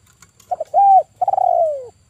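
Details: Close, clear call of a male spotted dove used as a bird-trapping lure: two quick stutter notes, a smooth arched coo, then a long quavering coo that slides steadily downward. Soft low hum beneath.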